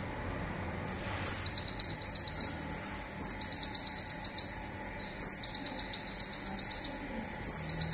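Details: Olive-backed sunbird (Cinnyris jugularis), zipper song.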